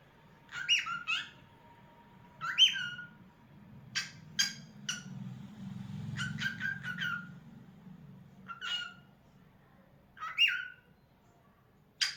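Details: Singing cockatiel indoors: a varied series of sharp whistled chirps, quick rising notes and clicky ticks over twelve seconds, some notes paired and others in rapid bursts, with a low hum of room noise in the middle.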